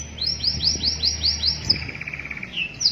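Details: Canary singing a master song for training: a quick series of about eight rising high whistled sweeps, then a rapid rattling trill held steady at mid pitch, ending in a bright slur, with low hum underneath.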